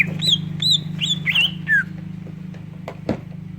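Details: Greater green leafbird song with kingfisher-style fill, played to prompt other leafbirds to sing: a quick run of bright, upswept whistled notes, about three per second, then clicks over a steady low hum.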